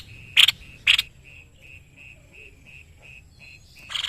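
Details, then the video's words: White-necked babbler used as a tutor bird by Indonesian bird keepers: two loud, scratchy bursts, then a regular string of short, high piping beeps about every quarter second, ending in another harsh burst. "BURUNG MASTERAN GACOR SEPERTI INI.JENIS TEPUS LEHER PUTIH"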